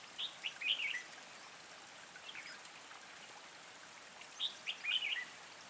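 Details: Red-whiskered bulbul during trapping with a decoy bird, 3 March 2020: two bursts of quick, chirpy warbled notes, one at the start and one about four seconds later, over constant watery hiss.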